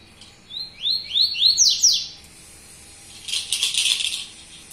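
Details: Yellow-bellied seedeater of the Baiano type singing the style called tui tuí zero zero: four clear rising slurred whistles repeated about every quarter second, then a brief pause and a buzzy, rattling trill.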